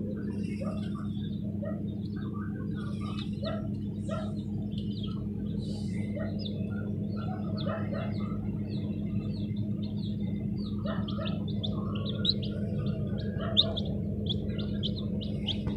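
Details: Newly hatched chicks in an incubator peep in a busy chorus of short, high notes over a steady mechanical hum.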